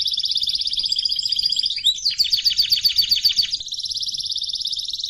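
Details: Singing canary, training recording: fast pulsed trill, a quick downward-sweeping phrase, a choppy rattle, then another smooth rapid trill.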